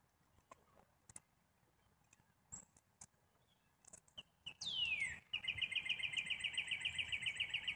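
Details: Black-capped chickadee calling: after scattered faint chips and a sharp downward-sweeping note, a long run of harsh, evenly spaced mid-high notes repeats about three to four times per second until the end, over quiet outdoor background.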